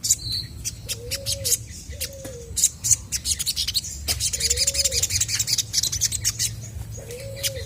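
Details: Chestnut-backed scimitar babbler in lively song meant to make other birds answer: low, smooth whistled hoots, each about half a second, repeated at uneven gaps, over dense high chirping and twittering from other birds.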